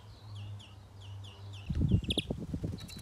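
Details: Young greenfinch being trapped; a series of short downslurred chirps repeated about every quarter second, then loud rustling and handling thumps with a brief bright chirp cluster.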